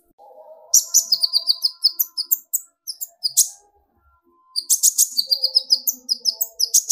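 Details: Sunbird (kolibri ninja) singing energetically, used to provoke other sunbirds into singing: bursts of sharp, high chirps and short metallic notes in quick irregular runs, a pause midway, then another dense burst, over a faint low hum.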